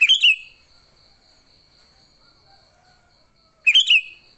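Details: A sooty-headed bulbul's fighting song, used as a lure with no other species mixed in: two short bubbly chirping bursts about three and a half seconds apart, separated by a pulsing high insect-like drone.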